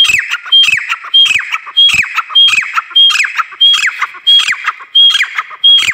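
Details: Female grey francolin (desi teetar) calling: loud, harsh notes repeated about every 0.6 seconds, each a sharp squawk sliding downward and topped by a thin high whistle, keeping a steady rhythm throughout.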